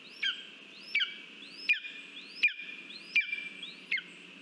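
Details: A lesser spotted eagle in Latvia, recorded 13 August 2023 at a mouse food delivery, gives six high, thin, sharply inflected yelps, about one every three-quarters of a second, over a steady background hiss.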